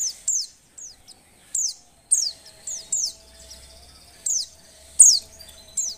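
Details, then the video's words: Oriental white-eye female in breeding condition calling to get males singing; high thin falling notes, singly and in pairs, repeated roughly every second with short gaps. "suara pleci betina birahi"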